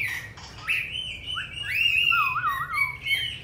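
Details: Song of a caged Hwamei in Hanoi, Vietnam, wild-voice style: slurred upward whistles, then a lower wavering trill that rolls up and down several times before climbing back to high notes.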